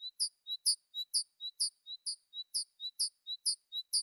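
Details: Tit repeating a bright, high two-part whistle over and over at an even pace, roughly two phrases per second, sustained throughout with a quiet background.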